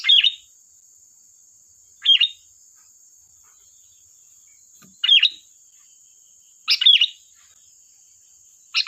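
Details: Sooty-headed bulbul in lively 'gacor' song with sharp 'tembakan' phrases, used as a lure and training master: short bubbly, liquid phrases repeated every one to two seconds over a steady thin high whine.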